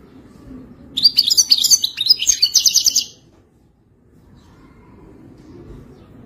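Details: European goldfinch singing in wild style: a two-second burst of rapid, evenly pulsed high chirps and trills, followed by quiet.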